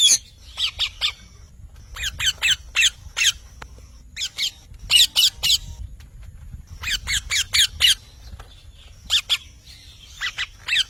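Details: Parrot calling in bursts of harsh, rapid squawks, three to five notes per burst, with short pauses between the bursts throughout.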